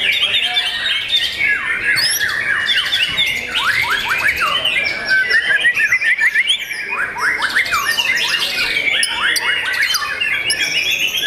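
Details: A young white-rumped shama kept by its owner pours out a long, varied song: dense runs of rapid descending whistles and buzzy trills, loud and continuous with hardly any gaps.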